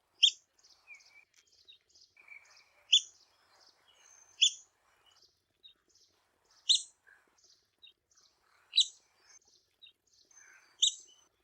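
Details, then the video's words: Red-cockaded woodpecker repeating a sharp, high squeaky call roughly every two seconds, with softer short notes scattered between the louder ones. "Red-cockaded Woodpecker Call"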